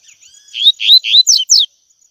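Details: Double-collared seedeater singing the tui tui song style, recorded for training young birds: three upslurred whistles, then three fast downslurred notes in under two seconds, over a faint steady high hiss.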